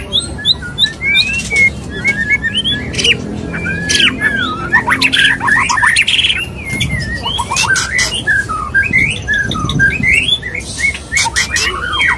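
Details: Male white-rumped shama courting a female: a long, busy medley of twittering whistles, quick slurs and sharp snapping notes, continuing almost without pause, with a faint low rumble underneath.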